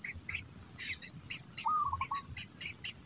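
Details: Black bittern at its nest, the adult holding food in its mouth for its young; one short stuttering trill falls slightly in pitch, amid scattered high chirps and a steady shrill insect whine.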